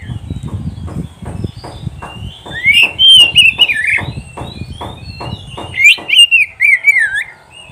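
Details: Oriental magpie-robin song meant to teach pet birds: rhythmic low knocking throughout, with loud wavering whistled phrases joining after two seconds and repeating rapidly.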